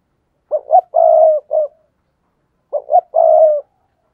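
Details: Spotted dove luring wild doves toward a trap. Two coo phrases: quick double notes, a long even coo, then a short added note in the first phrase. No background sound.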